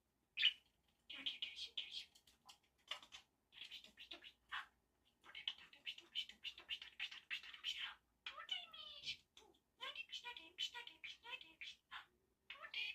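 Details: A pet budgerigar, one of two birds (one talks to a mirror, another does acrobatics on a curtain), chatters in a rapid, scratchy warble of high clicks, squeaks and trills.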